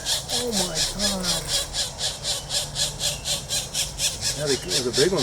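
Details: Pileated woodpecker chicks begging while being fed on 4/21/24: a continuous train of harsh, raspy pulses roughly two per second, with a woman's voice speaking at the start and end.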